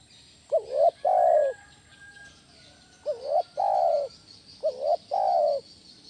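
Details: Loud 'kuk 1' call of a spotted dove, used to lure other doves. Three low, mellow phrases, each a quick two-part note running into a drawn-out coo, spaced roughly two seconds apart with soft hiss behind.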